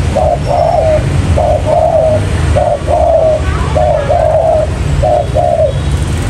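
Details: Cooing of a spotted dove used as a trapping lure, 'trơn ròng mailai' style: mellow two-part phrases, a brief coo then a drawn-out slightly descending one, repeated about once a second over constant low-pitched background rumble.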